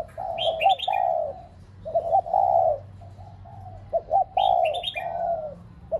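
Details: Decoy spotted dove cooing to stimulate pet doves: stuttered short notes and long falling coos, overlaid twice by a high, quick rising chirp series from another bird.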